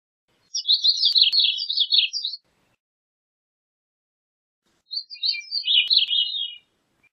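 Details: Gray-cheeked thrush singing: two thin, fluty phrases about two seconds long, each made of rapid slurred notes spiralling downward in a high register, separated by a pause of roughly two and a half seconds against a silent background.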